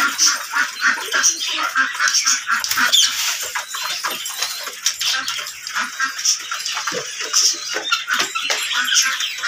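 A rose-ringed parakeet gives a steady run of harsh, screechy chatter, short rasping notes tumbling over one another with hardly a pause, with a faint hiss behind.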